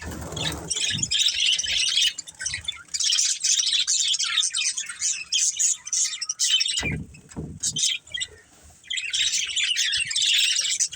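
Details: Several budgies from a family group chirp and warble busily in loud bursts, with short quieter gaps and a few low knocks partway through.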